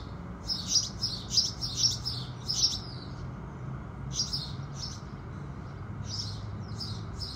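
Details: House sparrows greeting the rising sun: a quick string of five loud chirps, a brief pause, then softer, more spaced chirps, with light low background noise.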